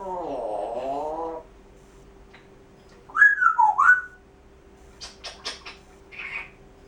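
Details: A pet grey parrot (Psittacus erithacus) shows part of its talking repertoire: a wavering, voice-like phrase, then a pair of clear whistles that rise and fall, followed by a few sharp clicks and a brief buzzy note.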